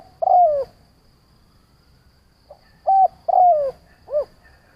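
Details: Decoy spotted dove calling to provoke other doves. A long descending coo, a quiet gap of about two seconds, then a full phrase of a short flat coo, a falling drawn-out coo and a brief closing note.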